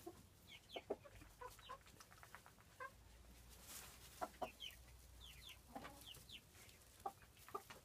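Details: Pair of frizzled porcelain Pekin bantams, 5.5 months old, cluck in short, low, irregular bursts, several per second at times; thin, higher chirps and a faint background hum are also heard.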